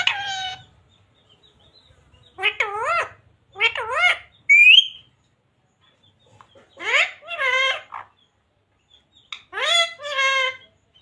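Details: Parrot talking words like radhe radhe, jai shree ram, sita ram and mummy papa; spaced bursts of high, nasal, two-syllable utterances and one whistled upward slide, with long quiet gaps between.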